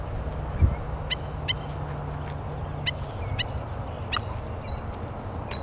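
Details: Four killdeer (Charadrius vociferus) chicks give thin, high peeps and short whistled notes, irregularly about every half second, over a steady low rumble of wind or distant traffic.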